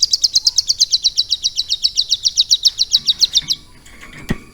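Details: Caged hill prinia, hand-trained for about three months with lovebird song as its filler material, pours out a fast, high chattering trill of sharp repeated notes for three and a half seconds before stopping. A faint click follows.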